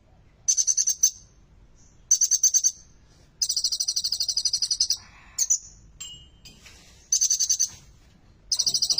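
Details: Copper-throated Sunbird, a kept songbird whose song includes imitated material, sings very high, rapid bursts of thin trilled notes, each lasting about a second, with brief squeaky and whistled phrases between them.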